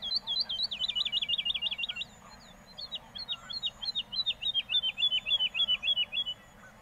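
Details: Woodlark (Lullula arborea) song from Castricum, the Netherlands, with two rapid, high, rolling trill phrases of rippling repeated notes, the second longer and looser, separated by a brief gap.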